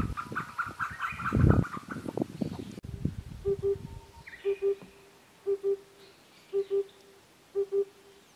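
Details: Oriental cuckoo recorded in early summer 2021 in Ehime Prefecture, Japan, with two males and one female active. A loud rustling burst gives way to clear, low paired 'po-po' hoots, one pair roughly every second.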